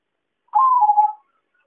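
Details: Zebra dove call played as a trapping lure: one warbling note lasting under a second that rises briefly and then slides slightly lower with a pulsing texture. The background is quiet.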